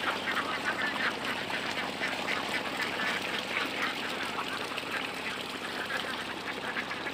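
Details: A flock of Khaki Campbell ducks on a farm of about 400 quacks constantly, with harsh, nasal calls overlapping several times a second over a steady background hiss.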